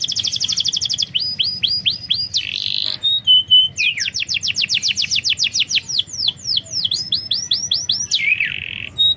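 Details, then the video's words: Canary song played as a lure to make a reluctant canary sing: continuous varied phrases of fast high trills, curving whistles and buzzy rolls, loud and clear with little background. "Masteran burung KENARI||Pancingan kenari malas bunyi."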